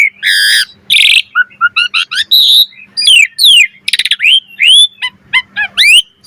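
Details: Asian pied starling song with full variation, used to stimulate other starlings: harsh rasping bursts, short low whistles, quick clicking runs and descending slurred whistles in fast sequence.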